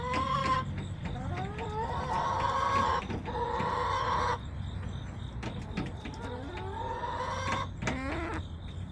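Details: Backyard chicken flock, September 20, 2024: a long, loud, buzzy harmonic call lasting over a second, then further drawn calls and quick clucks, ending with a rising squawk.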